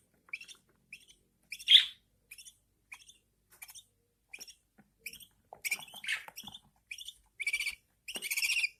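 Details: Newborn budgerigar chicks with their mother, which feeds them; soft, short high peeps spaced about half a second apart, one louder squeak early, then rising into longer, raspier begging cries toward the end.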